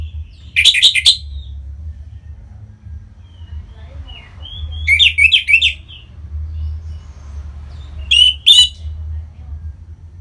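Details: Kept orange-headed thrush from North Bali singing to stimulate other birds; three short bursts of rich, chattering phrases, about two seconds apart, with a low hum underneath.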